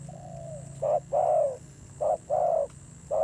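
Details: Decoy spotted dove with a fierce voice. A soft, drawn-out lead-in note is followed by loud, hollow coos in a short-long pattern with clear gaps between them.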